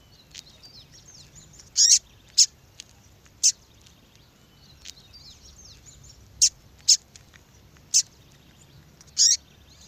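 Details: Calling female double-collared seedeater, a call used to attract males and followed by breeders in female-call contests: bright, piercing chips, often paired, roughly nine in ten seconds, separated by quiet gaps with faint twitters and hiss.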